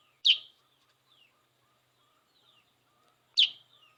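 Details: After a bath, a sooty-headed bulbul gives two piercing, falling notes about three seconds apart, separated by faint, high, slurred twitters.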